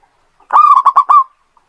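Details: Zebra dove of local stock, singing as a lure for other birds: a single fluty phrase opening with a drawn-out coo, then three or four rapid, clipped notes, in a quiet setting.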